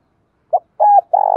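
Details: Spotted dove used to lure wild birds, giving a short low note, a held coo and the start of a long vibrating coo.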